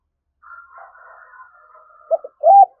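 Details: Spotted dove from Dong Nai, Vietnam, kept as a lure for wild doves: a faint wavering hum gives way to a stuttered coo and a loud husky low note at the end.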